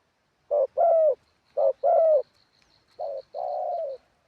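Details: Spotted dove decoy singing on the ground in wild style. Three rapid coo phrases, each a short note followed by a longer falling one, the last somewhat softer. A faint, high, steady chirping pulses in the background.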